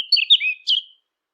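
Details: A short fluty whistled phrase from a Eurasian blackcap, a lure recording for hunting devices: two or three clear, sliding notes, then the phrase fades into silence.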